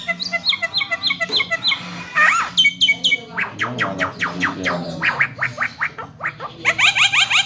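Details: Javan myna, locally called jalak kebo, singing a varied, lively run: harsh chirps and rising whistled notes, then a quick train of sharp downward-sweeping clicks and buzzy bursts, over a faint low hum.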